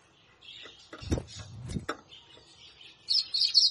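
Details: A man's voice announces the bird, then a Yellow-bellied Seedeater (Papa-capim) from Brazil gives a brief burst of bright, high, twittering notes in quick succession, a song noted among Brazil's most beautiful.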